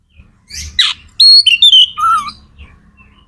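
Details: Kacer magpie-robin singing to spur other birds: a harsh burst, then clear whistled notes stepping down in pitch, a lower whistle and faint rumble behind.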